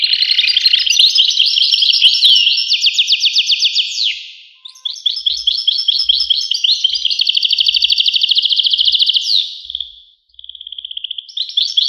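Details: European goldfinch delivering long twittering phrases with fast rattling trills and buzzy runs, each phrase ending in a downward slur, separated by short pauses and a single steady whistled note; faint low thumps underneath.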